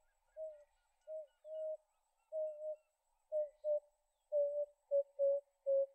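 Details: Emerald-spotted wood dove in Kruger National Park, South Africa; soft, low, hollow cooing notes in a slow series that grows quicker toward the end, later notes shorter and bunched together, over a quiet, still background.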